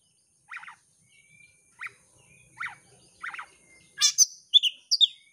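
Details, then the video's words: Lure song from a champion Oriental magpie-robin for baiting rival birds: four evenly spaced buzzy, grating notes about a second apart, followed by loud bursts and clear down-slurred whistles. "kacer juara siap gantang pancingan kacer gacor langsung on"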